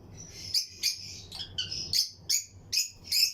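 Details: Lutino lovebirds in a colony aviary set up for breeding: sharp, high chirps repeated roughly every third of a second in an uneven, lively series over a faint background twitter.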